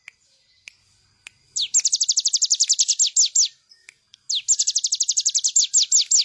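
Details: Energetic bar-winged prinia song meant as a master recording for cage birds to copy: a few soft ticks, then two long volleys of high, quickly repeated downslurred notes with a short gap between them.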